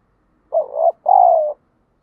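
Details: Spotted dove calling to provoke fighting and stir up wild doves, used in daily decoy training: a single low, hoarse two-part coo, a short rough note then a longer falling one, with a clean, quiet background.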